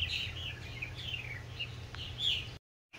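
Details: Purple martins calling to fresh fledglings: a few drawn-out, slightly descending gurgled notes and chirps, ending in a brief silence, with low background hum.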